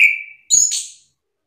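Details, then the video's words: Orange-headed thrush answering another singer in an agitated exchange: a falling whistled note followed after a short gap by a bright, very high buzzy whistle with a faint rustle. "Anis kembang mu langsung terpancing emosi ikut bunyi sahut sahutan"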